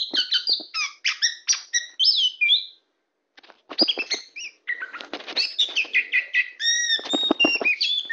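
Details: Oriental magpie-robin, tame and singing on a hand, delivers bursts of bright whistled notes, then a short silence, then rapid clicking notes mixed with warbled and wavering whistles.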